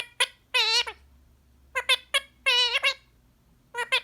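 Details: Pet Indian ringneck parakeet, a green pied male, chattering words while relaxing indoors; clipped syllables and longer warbled, rising-falling vowel-like notes in bursts separated by brief pauses.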